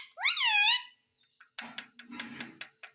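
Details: Indian ringneck parakeet, a talking pet said to say mummy and papa, gives one drawn-out nasal call that rises then falls, followed by light tapping and rustling.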